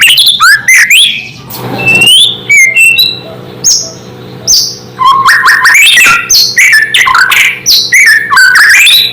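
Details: White-rumped shama in full song, said to make other shamas instantly agitated: loud, rapid, varied phrases of rising whistles, sharp slurred notes and quick chattering bursts, with brief pauses and a faint low hum behind.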